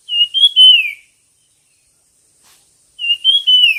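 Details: Bird in a singing contest giving two loud whistled phrases, each a stuttering start followed by a long falling slur, separated by about two seconds of quiet, over a faint high hum.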